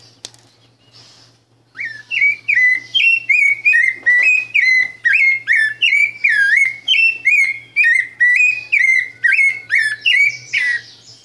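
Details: Rufous-bellied thrush (sabiá branca) singing a long, fast run of clear, repeated whistled phrases, each note rising then dropping, delivered about twice per second with a faint low hum beneath.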